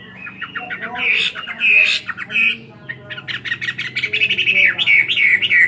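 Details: Caged Chinese hwamei, two years old, in fighting song: harsh squawky notes mixed with loud whistled phrases, then a fast run of rising and falling whistles repeated many times.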